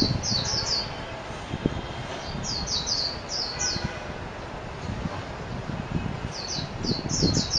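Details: Japanese white-eye song: short bursts of high, rapid, sliding chirps in quick runs of three or four, repeated several times, over a steady low background rumble.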